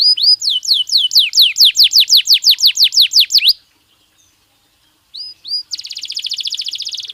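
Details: Belgian canary singing naturally for daily stimulation and training: a run of loud falling sweeps repeated several times a second, then a pause, two rising whistles and a fast buzzy high trill.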